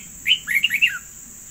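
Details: One brisk phrase from a yellow decoy bird: four or five bright, slurred chirps tumbling downward in under a second.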